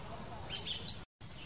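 Blue-capped rock thrush giving three short, high chirps spaced about a sixth of a second apart, over a steady faint hiss.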